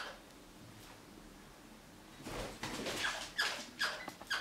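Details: A crimson rosella guarding a sock it treats as treasure gives harsh, scratchy chatter broken by short, shrill squeaks, about one each half-second, after a quiet start; a person speaks briefly.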